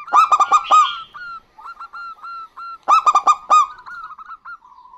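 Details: Local zebra doves, a female and male calling in turn. Two bursts of fast, full-toned staccato coos three seconds apart, each followed by a series of softer, regularly spaced hooked notes.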